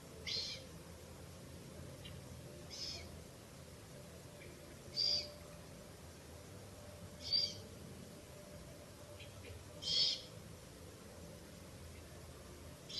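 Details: Owl young in a ruin nest, shortly after one in the morning on 1 May 2024, as the mother returns to feed rabbit; brief airy hisses repeat roughly every two to three seconds, five clear ones in total, over steady hum.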